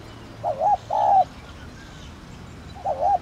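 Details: Spotted dove of the thổ đồng type giving a calling coo used to stir captive birds into cooing: two wavering mid-pitched coo notes in quick succession, a pause of about 1.5 seconds, then another short warbled coo, over faint background hiss.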